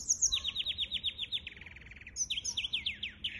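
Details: Hybrid finch song from 23 April 2023, a quick run of rapidly repeated downslurred notes slowing into a lower trill, then a burst of sharp rising and falling chirps.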